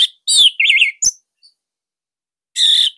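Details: Bali orange-headed thrush in a cage singing a short, loud master song for coaxing other thrushes: a wavering whistled phrase, a sharp chip, silence, then a dense high buzzy note.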